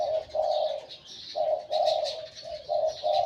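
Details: Wild-caught decoy spotted dove with a medium-to-large voice giving close, loud coos. The low notes come in a short-long rhythm that repeats twice, with faint bird chirps high above.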